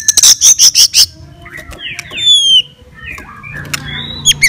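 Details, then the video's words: White-rumped shama fighting song meant to provoke other shamas: a burst of rapid loud high chips, then varied whistled slurs and descending sweeps with scattered sharp notes. "KICAUAN GACOR FIGHTER MENAIKAN EMOSI"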